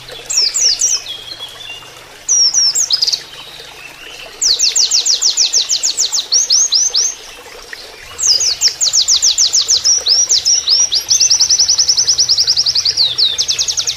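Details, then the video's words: Oriental white-eye song mimicking a canary, used as a training recording, with running water: bursts of very high, rapid chirping trills and quick downslurred notes in one-to-three-second phrases, ending in a long rattling trill. "PLECI NEMBAK KENARIAN"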